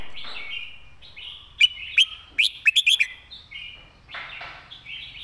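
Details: Red-whiskered bulbul model song used to teach birds: soft warble opening into a series of about six loud, clipped, bright notes spaced unevenly, followed by quieter chattering phrases.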